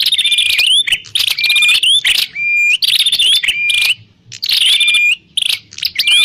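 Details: Grey prinia (prenjak klawu) as a trapping lure: loud buzzy chattering bursts run together, broken by level whistled notes with rising ends, and a short gap near the middle.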